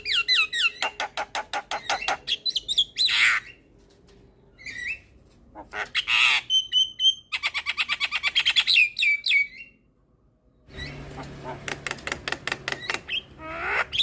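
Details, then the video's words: Javan myna full-repertoire tutor song for quiet mynas: fast trains of harsh repeated squawks, a few high whistled notes and buzzy bursts, separated by short silences, ending in rising squeals. "Kicauan Burung Jalak Kebo Full Isian pas Untuk Masteran dan Pancingan Jalak Malas Bunyi"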